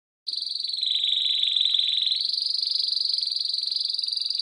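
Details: Canary singing, recorded in 2017: a long, fast, even rolling trill of high notes that stays level, then steps slightly higher after about two seconds and continues steadily with no other sounds.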